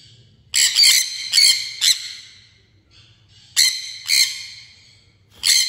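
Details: Loud, shrill, raspy calls of a sun conure come in quick clusters of two or three screeches. The clusters are broken by short pauses, and a faint low hum runs throughout.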